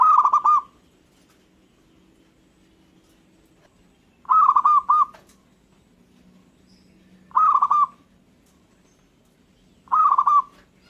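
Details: Local zebra dove whose song is said to set other birds calling back: four rolling, stuttered coo phrases spaced about three seconds apart, mid-pitched with a faint low hum between them.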